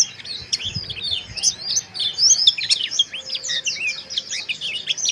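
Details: Mountain white-eye giving harsh, rough chirping used to raise breeding arousal: dense overlapping high twittering and short scratchy chirps, busy and continuous, with faint low thumps beneath.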